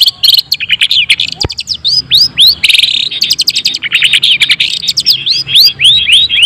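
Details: Long-tailed shrike song to provoke other shrikes, mixing chattering bursts, rapid trills and clear upslurred whistles repeated several times a second in a lively, varied sequence, with one sharp click.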